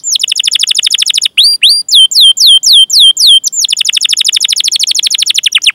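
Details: Canary training song for young or silent canaries: a fast, even trill of repeated notes, a slower run of looping whistled slurs, then another long rapid trill.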